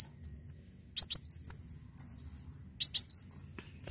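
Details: Lively Javan sunbird song used for tutoring and luring other birds: very high descending whistled slurs alternating with clusters of sharp metallic chirps, delivered in short phrases with gaps, a soft low rumble underneath.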